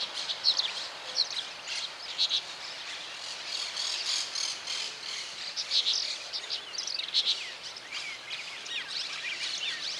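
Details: Brown-chested martin, Santa Fe, Argentina, 2023: repeated bright double chirps every second or so amid busy twittering, with a rattling insect chorus underneath.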